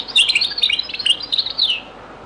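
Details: Very old recording of Beni Messous les avocats, or zaboka, style singing by a European goldfinch: a quick run of high tinkling, chattering notes lasting under two seconds.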